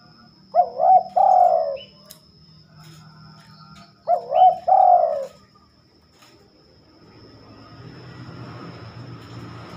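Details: Night song of a spotted dove: two cooing phrases about three and a half seconds apart, each with two short hooked notes and a long sagging coo, followed by a quiet stretch of faint hiss.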